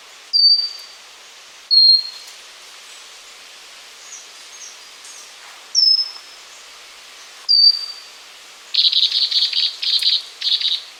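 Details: Pygmy wren-babbler (Pnoepyga pusilla) song: thin, high, slightly descending whistled notes repeated every one to two seconds, followed near the end by a different rapid buzzy trilled series of short notes.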